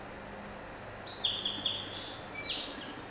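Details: Song sparrow, a small visitor singing at a window: a quick run of high, thin whistled notes, then several bright descending sweeps and a short buzzy ending, over a steady soft background hiss.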